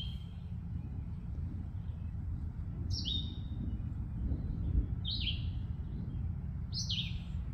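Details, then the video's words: Red-eyed vireo singing at Sheldon's Marsh, Huron, Ohio, on May 20, 2024: three short, slurred whistled phrases about two seconds apart over a steady low rumble of wind or distant noise. "Red Eyed Vireo sings."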